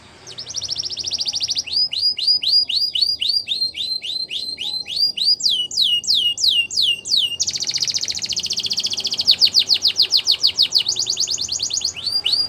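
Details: Belgian canary song used in canary training, a long sequence of fast repeated tours: a high rolling trill, then a steady series of curved notes, shifting to a higher dense trill and quick rising-falling sweeps.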